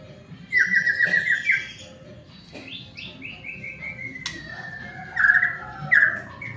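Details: Lure song of a white-rumped shama, meant to prompt other shamas to sing: a loud fast trill, a string of sliding whistles falling in pitch, then two short bursts of rapid trilling.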